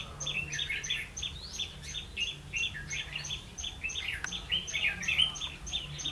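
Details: Red-whiskered bulbul used to lure others into a trap, recorded 16 October 2016. Lively overlapping chirps and warbled phrases run throughout, backed by a regular high-pitched ticking.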